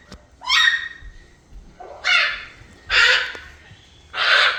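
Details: Three-year-old male red-sided eclectus parrot babbling gibberish before bedtime, recorded secretly because it only talks when unwatched: four loud, harsh, raspy squawks, each under a second long, coming roughly every second with quiet gaps between.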